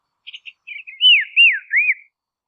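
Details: Soft clicks lead into three loud arched whistles from a Dusky robin in Tasmanian woodland, each note rising then falling, delivered in quick succession within about one second.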